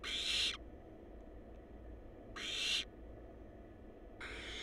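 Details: Wild barn owl chicks in a monitored nest box, filmed on a live cam; harsh, broadband hissing screeches in three bursts roughly two seconds apart, each about half a second long, with quiet background between.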